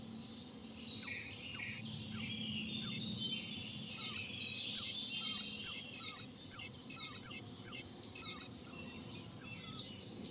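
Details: Common kingfisher at the Dřevnice river on 19 April 2019, recorded with a Nikon Coolpix P1000: sharp, piercing high whistled notes repeated rapidly, roughly twice a second, over a steady hiss of flowing water.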